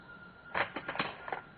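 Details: Oilbird at Mangaloma, Ecuador, recorded in 2010, gives a quick series of four or five harsh, rasping clicks in under a second, over a faint steady hum.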